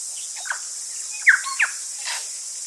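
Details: Tui song, with distant saddleback, kaka, bellbird and grey warbler and cicadas in the background: a few short slurred and clipped notes, two louder bursts near the middle, over a steady high cicada hiss.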